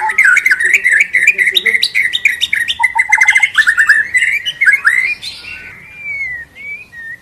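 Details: White-rumped shama lure song for prompting a bird to sing its varied repertoire: rapid, varied chattering phrases and fast trills, a mix of whistled and harsh notes, ending with softer drawn-out whistles.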